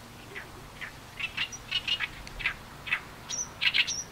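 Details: Oriental reed warbler singing, recorded with a Canon PowerShot SX70HS and external microphone on a tripod. The song is a rough, harsh run of about a dozen grating syllables in quick bursts, with a few brief high thin notes near the end.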